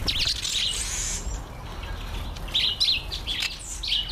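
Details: Red-collared widowbird in breeding season giving short, high chirps in small clusters, a burst at the start and several spaced chirps later, over a low rumble of outdoor background noise.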